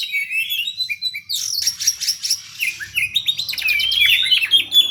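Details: Competing Oriental magpie-robin singing fast and tightly packed: opening whistled notes, then a long buzzy, scratchy stretch, then quick rising and falling chips and trills in rapid succession, with faint low rumble beneath.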